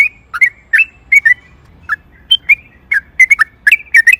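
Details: Sooty-headed bulbul singing its long rolling ropel panjang song, used as a lure to provoke other bulbuls into singing: clear whistled notes, often in quick pairs, scattered irregularly across the phrase against quiet low rumble.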